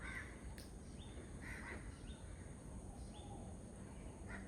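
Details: Pheasant-tailed jacana calling: short nasal, mewing notes, some with a thin rising upper stroke, given in small bunches roughly every second over a steady low rumbling background.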